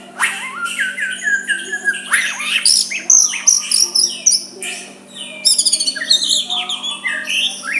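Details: Dense, varied white-rumped shama song, sung softly to stir a rival into a reply. Quick bright whistles and chattering notes tumble together in rapid bursts, some high and thin, over a low steady hum.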